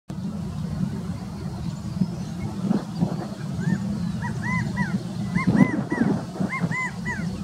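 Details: A male California quail at Mather Lake gives his "chi-ca-go" call, short arched whistled notes in quick groups of about three, repeated several times, over a steady low rumble.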